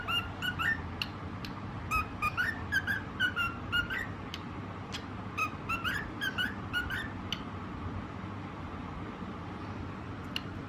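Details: A white pet cockatiel sings in the first seven seconds: clusters of short whistled notes with clicky onsets and harmonics, then the bird falls silent, leaving a steady low hum.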